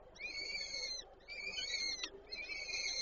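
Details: Peregrine falcon at a nest in Żerań, Warsaw, on 8 May 2023, the female feeding her chicks; three drawn-out, harmonic, slightly wavering calls, each about a second long, separated by short gaps.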